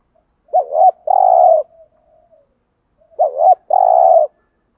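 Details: Two cooing phrases from a spotted dove in the thúc gù style for rousing wild doves, each a wobbling two-part note followed by a drawn-out flat husky coo, roughly two and a half seconds apart.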